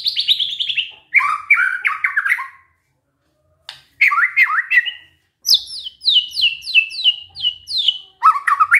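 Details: White-rumped shama singing canary-like material: high fast trills, buzzy descending slurs, and a long series of crisp downslurred whistles repeated quickly, broken by brief silences.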